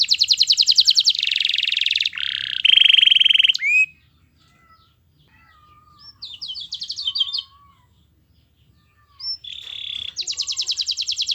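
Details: Canary master song played so other canaries will sing along: loud buzzy trills and a ringing whistled note, a quiet pause with faint soft chirps, then renewed rattling trills.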